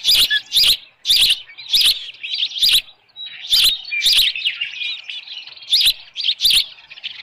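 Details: Osprey at its nest with a headless fish in the evening at Dunrovin Ranch, 10 June 2018, 6:41 PM: sharp, high chirping whistles in rapid bursts, about a dozen loud notes spaced irregularly through the clip, with softer chatter between them.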